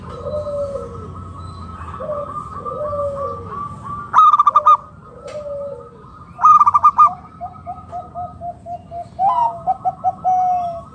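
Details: Wild local zebra dove calling to prompt other doves into song: slow falling coos, two loud buzzy rattles, then a rapid even series of short coo notes, against a low steady hum.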